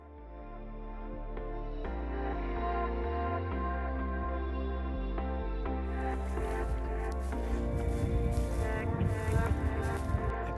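Only music is heard, a low brass-toned background score that swells and grows busier halfway through, with no animal calls.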